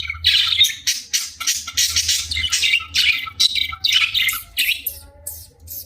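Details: A pet budgerigar named Kiwi, at play time, chatters in quick, scratchy bursts of high squawks and chirps over a low hum.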